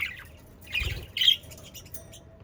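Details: Budgerigar sounds meant to stimulate pet budgerigars to sing: a few short, harsh, squawky chirps in quick bursts with brief quiet gaps, against a low background hum.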